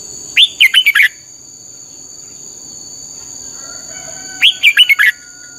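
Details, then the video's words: Red-whiskered bulbul lure song used to train other birds, 'căng lửa' style: two matching phrases of about five rapid, chirpy, dipping whistles, four seconds apart, over a constant high whine. "luyện giọng cho chào mào hót hay - căng lửa"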